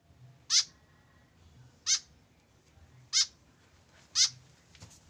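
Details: White-breasted woodswallow, a tame bird alone without a companion, calling with four rasping, nasal notes spaced just over a second apart against quiet low background noise.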